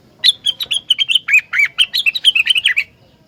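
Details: Rengganis song meant to draw other rengganis into singing: a long, lively string of about twenty rapid, high chirps over nearly three seconds, dipping lower in the middle of the phrase.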